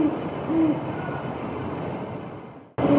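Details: Great horned owl pair in January 2022, during mating, giving a few short, low, soft hoots about half a second apart, then another after a pause, over steady broadband hiss.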